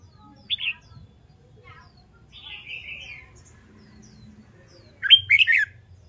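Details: Red-whiskered bulbul in training for competitive singing, giving a short whistled note, a quieter warble, then a loud rapid phrase of three or four bubbly slurred notes near the end.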